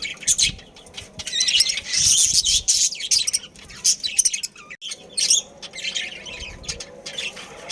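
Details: Caged budgerigar colony with a breeding pair, producing a long stream of busy, high twittering and buzzy chirps that swells louder in the middle, then continues in patchier bursts.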